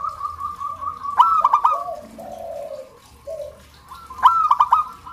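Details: Zebra dove singing, used to prompt household doves to start singing; a soft run of even coos breaks into quick staccato clicking notes, followed by lower drawn-out coos, then the staccato burst returns.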